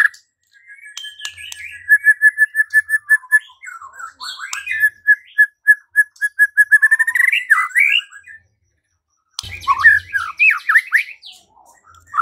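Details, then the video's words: White-rumped shama, played to provoke singing and fighting, delivering long runs of rapid, evenly repeated whistled notes with occasional slurred phrases, a short silence, then a jumble of quick varied notes. "Murai batu LANGSUNG TARUNG dan IKUT GACOR dengan pancingan seperti ini"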